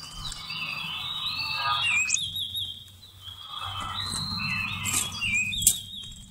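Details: Trapping lure of Seychelles magpie-robin song, November 2016: two bursts of sweet whistled phrases with sliding notes and a few twittering additions, separated by a brief lull, with faint clicks.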